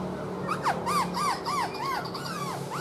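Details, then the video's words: A black-throated laughingthrush sings as it dances, tail fanned. It gives a rapid series of about six arched, rising-then-falling whistled notes, each a fraction of a second long. "KHƯỚU BẠC MÁ HÓT MÚA ĐỈNH CAO - ĐUÔI XÒE NHƯ CÁI QUẠT"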